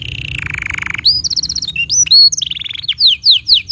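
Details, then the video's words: Canary song for tutoring juvenile canaries and prompting silent ones: a low buzzy roll, then quick varied whistled and chattering phrases, ending with loud sharp downward-sweeping notes repeated about every quarter second. "Masteran Untuk Kenari Paud Dan Pancingan Kenari Macet Bunyi"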